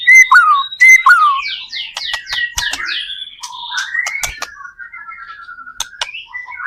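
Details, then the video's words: White-rumped shama song played to prompt other shamas to sing: two falling whistled notes, then a fast descending series of buzzy notes and sharp clicks, followed by lower drawn-out warbling whistles. "PANCINGAN murai batu gacor AMPUH BUAT MENDONGKRAK MURAI BATU MENJADI CEPAT BUNYI"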